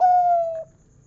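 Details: Closing note of a local zebra dove's big 'kung' song: one drawn-out, mellow coo sliding gently downward for over half a second, then only a low background hum.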